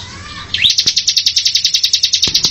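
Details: Ciblek, or Bar-winged Prinia, opens with a short rising note, then launches into a rapid, tightly packed train of piercing high notes. The rattle is steady, with a few faint clicks behind it.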